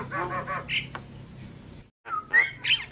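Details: Lively nodding Javan myna song, a tutor and lure recording for starlings: three harsh grating notes, a short squawk, a pause, then a falling whistle and a sliding squeaky whistle mixed with rasps.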